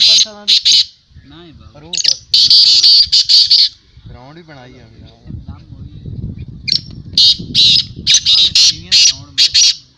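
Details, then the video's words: At a black francolin calling tournament in 2022, grating, piercing high-pitched notes come in clustered runs separated by a pause filled with men's conversation and low murmur. "Black teetar voice tournament Black Francolin voice"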